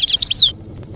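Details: European goldfinch singing campero-style wild song, used to teach young goldfinches to copy during the moult; a quick burst of high, liquid twittering notes lasting about half a second, then quiet with a low background hum.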